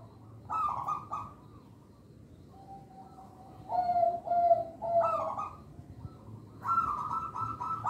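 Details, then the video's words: Local zebra dove singing as a lure for young birds. Buzzy, pulsed bursts and clear, flat coos repeat in several phrases about two seconds apart. "Perkutut Lokal Suara Istimewa, Pemikat Bakalan"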